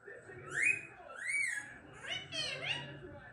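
An Indian ringneck parakeet talks in a high, nasal, rapid voice, giving several short rising and falling phrases over about three seconds.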